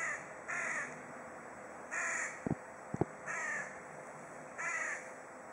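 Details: In Kaliningrad, a crow calls at its companion with five rough, nasal caws at uneven intervals, interrupted by several sharp knocking clicks, steady hiss behind.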